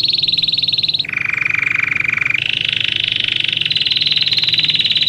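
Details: Belgian canary song used for teaching canaries to sing: continuous fast rolling trills, each held for a second or two before switching to a new pitch, from high to lower and back up.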